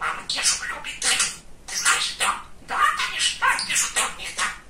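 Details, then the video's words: Chatty young male budgerigar, a pet talking parrot, producing a fast stream of scratchy, high-pitched imitated words in groups of syllables separated by brief gaps. "Говорящий попугай"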